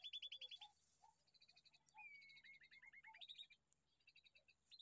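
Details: Bulbul baby bird with bursts of rapid, high, ticking chirps separated by quieter gaps, one run opening with a drawn-out whistle. Soft lower calls and a faint hum in the background.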